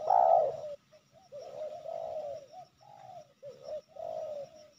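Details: A wild spotted dove targeted for trapping in Sibolangit, with two decoys nearby: one loud full coo, then long, smooth, level coos separated by short gaps, a faint high hiss above.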